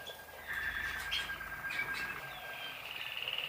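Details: White Waterslager canary singing: sustained thin whistled tones and rolling trills, shifting in pitch, over a steady background hiss.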